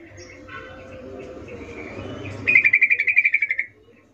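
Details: A wild yellow-vented bulbul, recorded in nature, in full active voice. Low murmuring background gives way to a one-second burst of quick, evenly spaced chattering notes that fades out sharply.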